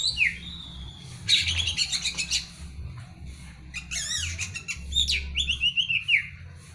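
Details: Oriental magpie-robin singing a rich, varied song full of imitated material: a rapid mix of chirps, squawky notes, buzzy trills and short swooping whistles in bursts, over a faint low hum.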